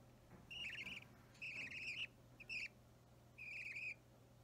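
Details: Budgerigar chick about three weeks old during hand-feeding, restless, filmed 30 March 2017; quiet, scratchy, slightly wavering chirps in four bursts of varied length over a low steady hum.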